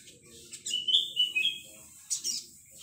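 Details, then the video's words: Olive-backed sunbird, a young male singing actively, gives a quick run of thin whistled notes sliding slightly downward, followed by a brief high scratchy burst. "BURUNG SRIGANTI /SOGOK ONTONG MUDA JANTAN GACOR"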